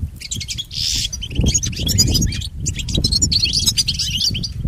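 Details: European goldfinch song for training pet goldfinches: a short buzzy burst, then runs of high twittering notes with a brief pause in the middle. Fairly strong low-pitched rumble throughout.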